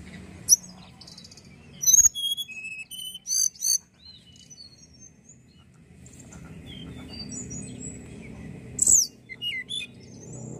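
A young Tledekan gives short bursts of high, thin whistled and trilled notes, with long pauses between phrases, over a low background hum.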